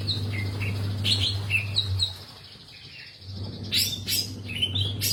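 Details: Long-tailed shrike in lively song, mixing short whistled, slightly falling notes with sharp harsh bursts, a quieter gap in the middle, all over a faint steady hum.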